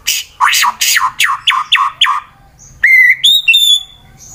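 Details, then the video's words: Fighter-style white-rumped shama, Wonosobo, Central Java, Indonesia, singing to provoke rivals: six loud downward-sweeping notes, then clear pure whistles, one held and two higher ones. "Murai BATU FIGHTER Bikin Emosi lawan langsung GACOR Sangat Ampuh Dijadikan Lawan tanding"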